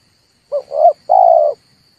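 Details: A dove call used as a trapping lure: a short clipped note, a rising coo and a longer sustained coo in quick succession, clear and unaccompanied.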